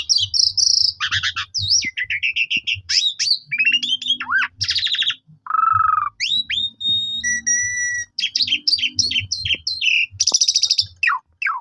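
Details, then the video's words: Black-collared starling song played as a lure to provoke other starlings into singing: a varied, loud medley of rapid chattering trills, sharp whistles, harsh buzzy notes and a low warbled phrase, changing every second or so. "Jalak Suren Lain Langsung Emosi Gacor Bongkar Isian"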